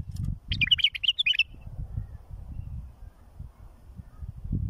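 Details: Tutoring song of a bulbul, meant to teach fledglings: a short burst of liquid, chattering whistled notes lasting under a second, then low rumble and handling-like noise.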